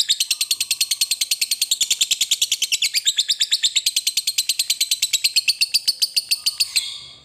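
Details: Extended "ngekek" chattering from a lovebird, a song used to get other lovebirds singing: a long unbroken run of quick, harsh high notes, dropping slightly in pitch midway and ending abruptly near the close.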